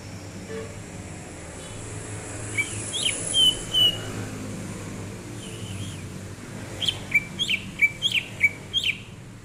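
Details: Greater green leafbird singing while relaxing, recorded January 2022: a few scattered slurred whistles, then a quick burst of sharp, rising-and-falling chirped notes, over a constant low rumbling background noise.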